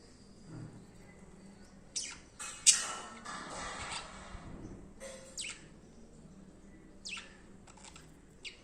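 A budgerigar gives scattered, scratchy high chirps in short bursts, with quiet pauses between them.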